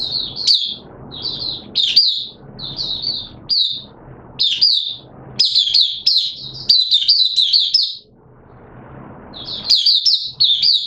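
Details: Oriental white-eye in open song on a wet-weather day, kept as a hobby bird: repeated bursts of high, chattering twitters with bright upslurred notes, separated by short quiet gaps.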